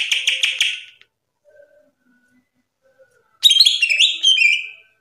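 Greater green leafbird giving a loud, rapid burst of high, rattling notes, then a pause and a second phrase of bright, sliding whistles and chatter.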